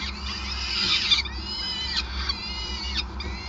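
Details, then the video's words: At a Groningen nest in the Netherlands on 5 May 2020, peregrine falcons are fed at length; a loud screechy burst of calls early on gives way to thinner, drawn-out harmonic whines over a constant low hum. "Slechtvalk ~ Endless Feeding"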